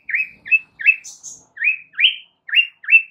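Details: Repeated upslurred chirps from a white-rumped shama masteran, each short and bright, given roughly every half second with one higher, thin whistle inserted, on a track meant to cure stress and encourage singing.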